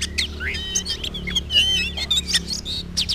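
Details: Oriental magpie-robin answering a rival, a dense stream of twisting whistled notes and quick chirps above a droning low hum.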